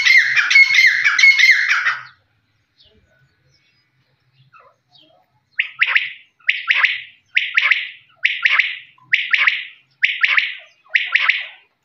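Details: A desi (local) quail gives a dense, harsh burst of chattering, then seven short, raspy notes repeated about once a second.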